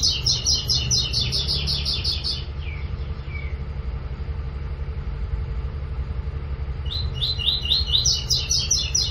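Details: Double-collared seedeater recorded 9 September 2021, singing a tutor song for teaching young birds: bursts of fast, high, chattering notes with a few downslurred whistles between phrases, over a steady low traffic rumble.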